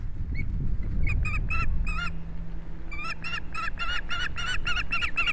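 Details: Soaked ospreys at an Estonian nest, on camera on the afternoon of 11 July 2017 as a huge fish arrives. A long run of loud, harmonic, whistled yelps repeated rapidly, with a low background drone.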